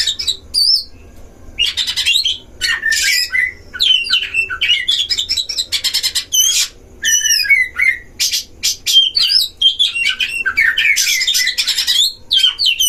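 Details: Caged Oriental magpie-robins in a duel at a breeding enclosure, sung as a lure to provoke other magpie-robins; dense stream of scratchy bursts, quick warbled whistles and rising slurred notes with brief gaps.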